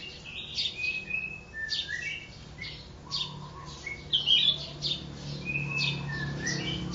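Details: Mountain-forest red-whiskered bulbul, captured from the wild a day before, sings a run of clear, slurred whistles and chirps at steady pace over a faint low hum.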